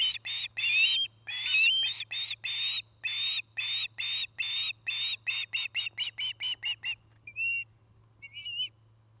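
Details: Osprey pair at a new nest in Charlo, Montana, during nest building and courtship; a long run of loud whistled chirps, some with rising upslurred tops, speeding up then breaking into a few sparse notes.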